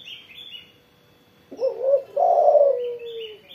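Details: A single coo phrase from a spotted dove after morning sunning: a brief lead-in note, then one long, full, descending coo. High chirps of other birds are heard before and after.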